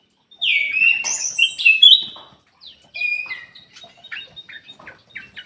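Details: Ruby-throated bulbul song used as a lure to prompt reluctant birds to sing; clear whistled phrases sliding between high and mid pitch for two seconds, then softer scattered chirps after a pause.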